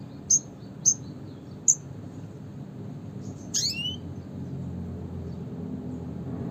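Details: Classic red siskin call: three short, very high chips spaced about half a second apart, followed by a harsh buzzy descending call note, with a soft low hum beneath.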